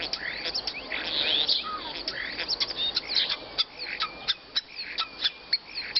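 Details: Masteran training recording for songbirds: a dense stream of high, sharp chirps, whistled trills and quick repeated tweets. Several bursts of notes overlap at first, then thin out into evenly spaced sharp chips near the end.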